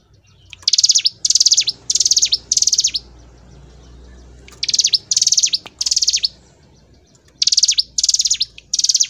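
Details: Hill prinia performing gacor ngebren song. Three bursts of fast, high, buzzy trills with downward-flicked endings are followed by a pause of faint low background hum, then two further pairs of bursts.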